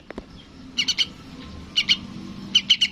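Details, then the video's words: Young yellow-vented bulbul calling its parent: short bursts of three to four sharp, high chirps separated by pauses, fairly quiet against a soft background hiss. "SUARA BURUNG TRUCUKAN ANAKAN MEMANGGIL INDUKNYA"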